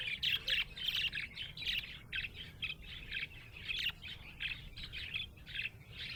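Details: Happy budgerigar chirping: bursts of rapid, scratchy high warbling chatter in quick pulses, loud and close, separated by brief gaps, with a low hum behind.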